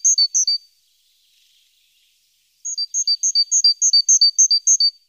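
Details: Great tit active around its nest box in the morning, filmed by a nest-box webcam on 14 April; a short burst of high, bright two-note chips, then a fast, even run of about fifteen paired chips after a pause.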